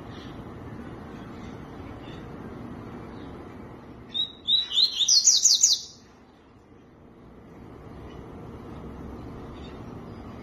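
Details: Tui-tui song: a quick two-second burst of high, thin, sharply falling notes, starting softly and swelling into a dense run of about eight strokes, set against a steady low hiss.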